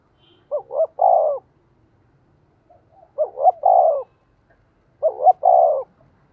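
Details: Spotted dove kept as a decoy bird, giving its calling coo to stir up wild doves: three phrases in about six seconds, each two short hollow notes and a longer drawn-out coo, with quiet pauses between.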